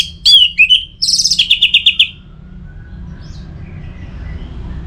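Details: Orange-headed thrush kept as a cage bird, singing a varied phrase of whistled slurs followed by a rapid buzzy trill of repeated notes, then quiet with a low background hum.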